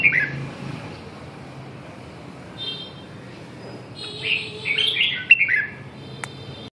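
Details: Red-whiskered bulbul with a brief whistle at the outset, then a longer burst of rich, warbling chirped notes between four and five and a half seconds; thin tonal buzzing and low hum also present.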